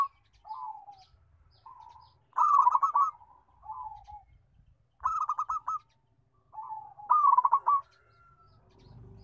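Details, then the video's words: Big-voiced local zebra dove repeating its song: soft, low purring trills interleaved with three loud bursts of rapid staccato coos, spaced a few seconds apart, with light background rumble. "Kutut Lokal Suara Besar MERDU"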